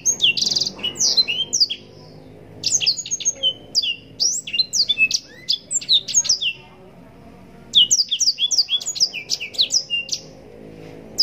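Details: Yellow-rumped serin (blackthroat) singing a long 'gacor nembak panjang cengkok mewah' mastering song: rapid bursts of high, sharp whistled notes and quick slurred chirps in phrases of about two seconds, separated by short pauses, over a faint low hum.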